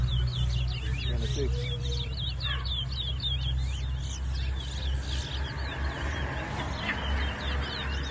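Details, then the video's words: Large-billed seed finch song during a 2022 towa towa race in New Amsterdam, Guyana: dense, high twittering and swept whistles pour out over a steady low engine-like hum, with a short lower whistle near the start. "TOWA TOWA BIRD RACE"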